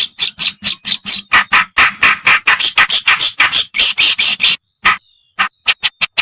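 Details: Kerakbasi or cikrok, a reed warbler of the white-browed or black-browed form, used as a lure call: dense harsh chattering, notes about twice a second, brief silence, then several spaced scratchy notes and a thin whistle.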